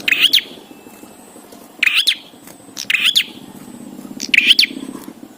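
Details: Song of a bar-winged prinia, used as a training aid for cage birds: four scratchy, tumbling chirp phrases about a second apart, each a quick cluster of twittered notes, with faint background hum.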